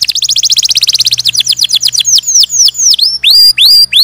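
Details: Canary singing a loud, rapid song: a fast even trill of high notes for about a second, then slower downward-swept whistles and looping tones, with a faint low hum underneath.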